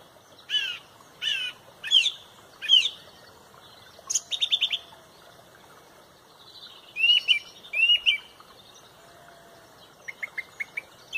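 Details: Loud song thrush in the sunrise dawn chorus at Pontrobert: a phrase repeated four times at steady intervals, a rapid stuttering series, two more paired whistled phrases, and a soft string of quick high notes at the end.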